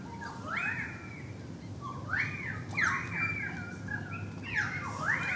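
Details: Currawong song heard from a balcony, a series of arched whistled notes that swoop up and down, repeated roughly every second, over a constant low background hum.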